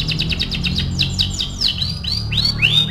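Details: Canary song used to stimulate other canaries to sing: a rapid trill of repeated notes slowing into looping, rising and falling whistled sweeps, over a steady low hum.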